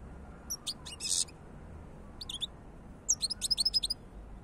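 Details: European goldfinch singing, a scattered series of thin, high, tinkling chirps and twittering notes in short bursts, ending in a quick run of rapid repeated notes, over a steady low background hiss.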